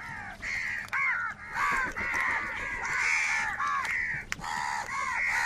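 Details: Huge numbers of crows crying while competing for food. A near-continuous chorus of harsh, bowed caws from many birds overlaps, with sharp snapping sounds now and then.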